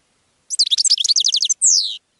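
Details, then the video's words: Goldfinch song, said to attract other birds: a quick burst of high twittering notes, about a dozen sharp chips, ending in a long descending buzzy slur; no other sounds. "GOLDFINCH SONG to ATTRACT Other Birds"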